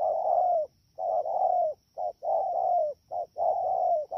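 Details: Spotted dove, a wild-caught bird in the rainy season, Đak Tô, 3 October 2019: rapid deep coos, long drawn notes alternating with clipped short ones, about fifty-three phrases a minute, over quiet background hum.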